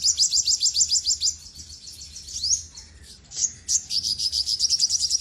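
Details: Olive-backed sunbird (sogok ontong) song: a fast run of bright, high ticking notes. A sweeping upslurred note and a short gap follow, then another rapid, even trill.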